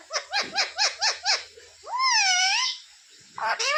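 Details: Pet parrot talking indoors, said to ask its mummy for roti and to say mummy and papa; a run of six quick, nasal, speech-like syllables, then a long wavering drawn-out word and a final harsh syllable.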